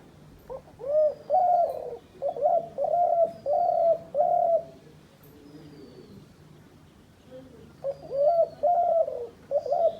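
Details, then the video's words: Decoy dove used by hunters, cooing in runs of low, hollow, slightly wavering notes, about six coos in quick succession, a pause, then another burst of coos; a faint steady hum underneath. "শিকারী ঘুঘুর ডাক"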